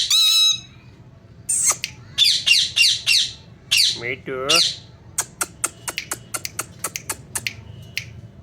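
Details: Ringneck parrot reportedly saying "mithu mithu": a whistled opening, then a run of harsh squawks and a wavering voice-like phrase, followed by a string of sharp clicking ticks.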